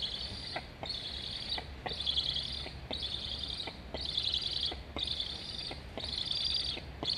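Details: Recorded by a nest camera in Estonia on 26.08.21, a young Black stork begs for food at its nest while a sibling flies nearby, both chirping. Wheezy, high buzzing calls come in steady pulses about every second, with soft ticks between.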